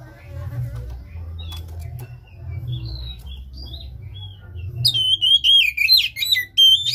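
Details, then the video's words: After a quiet stretch of faint twitters and low hum, an Oriental magpie-robin bursts into loud, looping whistled phrases for the last two seconds. The recording is meant to stimulate a silent, unmotivated caged bird to sing. "Pancingan KACER malas bunyi macet kurang birahi"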